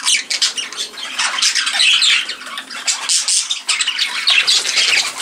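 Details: Budgerigars in an indoor birdroom aviary in the UK, flying around: dense, continuous flock chatter of scratchy, high warbling squawks and chirps overlapping without pause.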